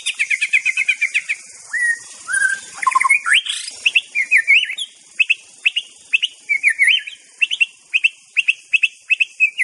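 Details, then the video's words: White-rumped shama of the Aceh type sings a quick run of repeated whistled notes, then warbled slurs, then a long steady series of crisp rising chips at about two per second. "Bird Sound Therapy Murai Batu"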